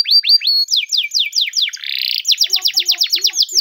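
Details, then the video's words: Spanish Timbrado canary training song: rapid high descending sweeps repeated several times a second, a short buzzy trill, then a fast even run of bright downslurred notes, clean and close. "Timbrado canary singing video!! Canary Training song"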